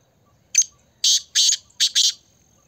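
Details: Black francolin, locally kala teetar, giving a loud harsh grating phrase: one short rasping note, a pause, two longer buzzy notes, then two more closely paired, about one and a half seconds overall, with a thin steady whine behind.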